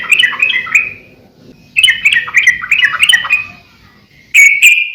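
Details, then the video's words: Sooty-headed bulbul singing at full pace as a master recording for captive birds: rolling, gurgling phrases of rapid notes, a quieter gap, then a bright sustained trilled note. "suara trucukan gacor COR buat masteran / pancingan trucukan agar burung trucuk gacor"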